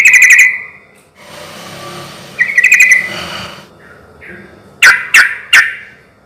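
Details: Yellow-vented bulbul song, used as a lure to draw other bulbuls into answering: short bubbly chattering phrases near the start and middle, then three sharp clicking notes toward the end.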